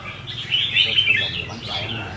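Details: Red-whiskered bulbul, a kept songbird, giving a short burst of quick, bright warbled whistles that swell in the middle and fade, over a low background hum.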